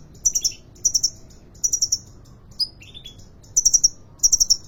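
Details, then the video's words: Market-caged sunbird from Depok singing: clusters of three to four very high sharp chirps repeated about every second, with a single lower buzzy slurred note in the middle of the phrase. "Kolibri ninja konin gacor dor"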